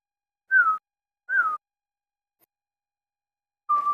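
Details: Crossbred captive shama giving clear, slightly falling whistled notes, spaced about a second apart, with silence between them.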